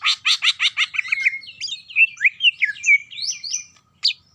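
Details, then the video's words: Greater green leafbird song opening with five rapid, evenly spaced harsh chirps, then running into a busy stream of twittering, slurred whistles and high rising notes before a brief pause and a final sharp note. "Ngetrok Parah !! Spill Cucak Ijo Jawara"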